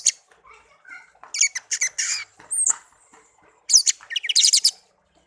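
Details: Tame songbird kept as a pet for a year after being raised from young, giving scattered soft notes, then bursts of harsh high chattering and squeaky twittering phrases separated by short pauses.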